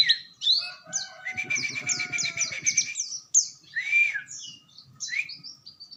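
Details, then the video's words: Oriental white-eye delivering a fast twittering rolling song with bursting phrases: dense high chirps and quick down-slurred notes, brief whistled tones beneath, and faint low rattling in the background. "Burung Pleci Gacor||Ngerol Nembak"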